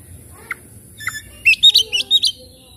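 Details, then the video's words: Oriental magpie-robin song meant to spur silent, stressed birds into song: two isolated notes, then a quick string of six sharp high chirps, over light background noise. "cukup skali pancing kacer macet stres malas bunyi langsung gacor"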